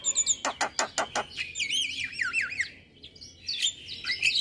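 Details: Male Javan myna in morning song, made to train other birds: five loud hard knocks, then looping warbled whistles that wind up and down, fading to scattered high squeaks.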